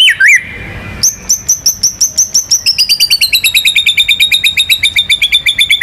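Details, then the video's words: White-rumped shama, a national contest champion, in a rolling song: a brief slurred whistle, then a long rapid trill of high repeated notes that speeds up and continues evenly for nearly five seconds. "MURAI BATU GACOR MANCING BURUNG LAIN BUNYI‼️ MATERI ISIAN NGEROL NEMBAK IRAMA LAGU LENGKAP ISTIMEWA"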